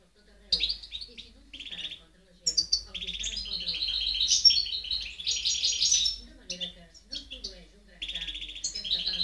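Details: Goldfinch song from 2010, a lively stream of high twittering phrases, buzzy trills and sharp chips broken by brief pauses, with low background murmur.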